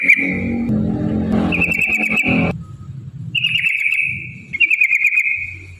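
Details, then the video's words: Yellow-vented bulbul in full 'ropel' song, used to lure other bulbuls into singing: steady buzzy notes with rapid stutters, separated by short pauses, over low rumbling traffic-like background noise. "trucukan gacor TARUNG ROPEL PANJANG pancingan trucukan agar bunyi"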